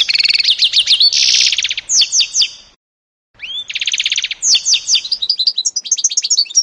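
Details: Mule of canary and goldfinch, 2018, singing fast trills and a harsh buzzy burst, falls silent for about half a second, then resumes with a rising whistle, buzz and twittering notes.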